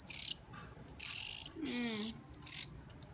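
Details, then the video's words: Hungry bird begging during hand-feeding: loud, high, drawn-out whistled and buzzy cries in four bursts, with a lower sliding sound beneath one of them. "Hungry bird"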